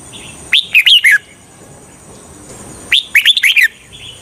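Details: Decoy red-whiskered bulbul used to lure wild bulbuls for trapping gives two short bursts of bright, warbling whistled notes, rising and falling, about two seconds apart, over a faint steady high hiss.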